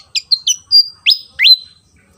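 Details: Energetic song of a Javan fantail, a fan-tailed insect-eating bird of Java: quick sharp high chirps, a held level whistle, then two loud notes sweeping upward into long steady whistles, with no other sounds.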